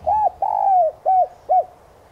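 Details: Spotted dove lure call meant to stimulate newly caught doves to coo quickly: a phrase of four mellow coos, a short arched note, a long drawn-out falling coo, then two short arched notes, all in about two seconds.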